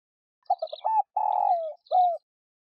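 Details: Single cooing phrase of a spotted dove, used as a decoy to excite other doves: stuttering short notes, a sustained harsh coo falling gently, then a clipped final coo. Faint high twitters sound above.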